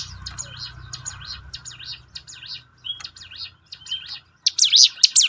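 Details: Hill prinia song meant to coax birds into singing more: faint series of quick up-and-down whistled notes over a low hum, ending with a louder, brighter burst of the same swooping phrases.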